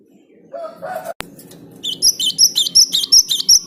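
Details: Lively Java sparrow song meant to stir other birds into singing: a few lower, nasal tones, a sharp click, then a fast run of bright, high chips repeated at an even pace.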